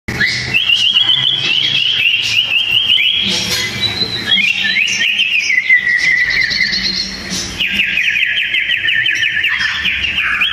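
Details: Two sooty-headed bulbuls in a fierce song duel, their voices loud and dense: a continuous stream of whistled warbles and rapid trills, alternating higher and lower phrases without pause, with faint low background hum.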